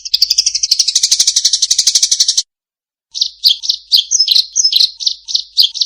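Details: Fighting Eurasian tree sparrow with a clear voice: a fast, harsh, high rattle that runs for over two seconds, then a short silence, then a string of sharp, separate chirps and chips, some doubled.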